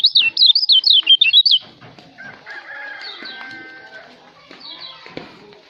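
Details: Lombok white-eye, known locally as kecial, in a recording for songbird training: a quick run of sharp up-and-down whistled notes, then quieter, lower sustained tones and scattered soft chirps.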